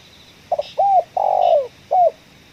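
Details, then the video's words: Spotted dove, prized ngeruk kuk 1 voice, heard while luring in a coffee plantation; a hesitant double note, a curved coo, a long buzzing descending note and one closing coo, over a quiet background. "target kita tekukur suara ngeruk, kuk 1"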